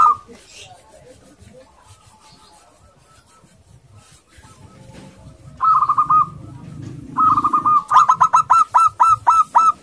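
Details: Courting local male zebra dove, aggressive and used as a lure for other doves: several quiet seconds, one brief coo, then from midway trilled coos building into a loud rapid series of clipped repeated notes.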